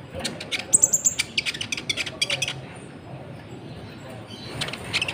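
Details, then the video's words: Sunbird singing in a lively way, meant to stir other birds into a fighting mood: a quick run of sharp, high chirps over about two seconds, with a thin high whistle among them, then quiet hiss. "PANCINGAN KONIN GACOR, AMPUH BUAT MENAIKAN EMOSI BURUNG"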